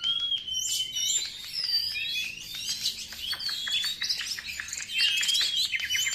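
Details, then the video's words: Song of the Oriental magpie-robin, played to attract wild birds and excite caged ones: nonstop, bright, rich warbling of mixed whistles and rapid chattering notes. "PANCINGAN SUARA BURUNG KACER"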